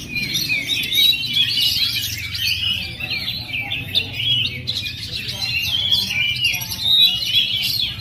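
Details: Young male Oriental magpie-robin in full song: fast, varied whistled phrases and sharp chirps tumbling one after another, with a low background hum.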